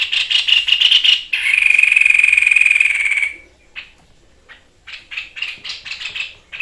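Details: White-chested babbler in full song, used as a training recording, in the 'tembakan maut' shooting style: harsh rasping note bursts, then a long buzzy sustained trill with rapid pulses, then a pause and more scratchy bursts.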